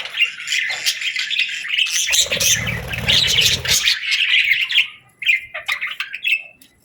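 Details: Budgerigar afternoon calls: bright chirps and squeaky warbled phrases, a loud burst of chatter in the middle, then a few separate short chirps fading out.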